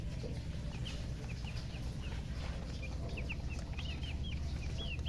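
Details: Chickens give scattered high chirps that become more frequent near the end, each a short upward or hooked whistle, heard over a constant deep rumbling background.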